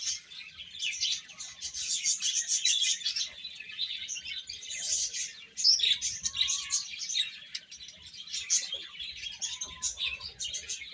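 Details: A brood of baby chickens at their food, cheeping constantly in thin, high notes; one sharper peep stands out midway, and a soft steady tone sounds faintly later.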